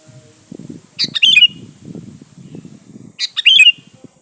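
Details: Two quick, chattering bubbly phrases ending in a clear falling note, roughly two seconds apart, from a Sooty-headed bulbul song used as a lure to call rivals; low rumbling noise fills the gaps.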